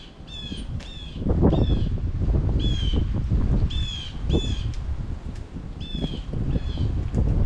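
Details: Blue Jay (Cyanocitta cristata) in late fall giving about eight harsh, slurred jay calls, often in quick pairs, over a steady low wind-like rumble.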